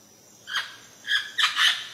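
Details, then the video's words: A parrot in its natural habitat gives four harsh, raspy squawks over two seconds, the last two close together, against quiet background hiss. "El canto de un loro"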